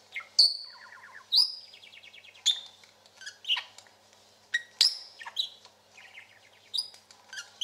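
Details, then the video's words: Chatty pet parakeet, male, giving rapid buzzy trills between sharp high chips and short whistled notes, an uneven stream of bright chatter with brief pauses. "Chatting and Trilling"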